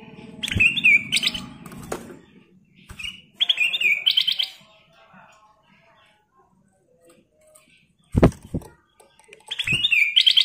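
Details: Kutilang emas, the ruby-throated bulbul, singing 'gacor' with 'isian' phrases: several short bursts of bright, rapid whistled notes separated by pauses, with faint clicks and low room noise between them.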